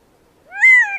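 Gambel's Quail gives one loud, nasal wailing note about half a second long. It rises slightly, then sags at the end, against a quiet background.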